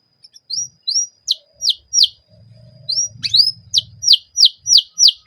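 Canary singing bright, high chirps and swept whistles repeated about three times a second, with a faint low hum in the background.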